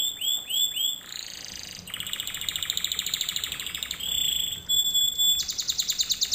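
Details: Canary song from a learning lesson for canaries: a few swooping notes, then a long buzzy rolled trill, a pure whistled note and a final fast bright trill.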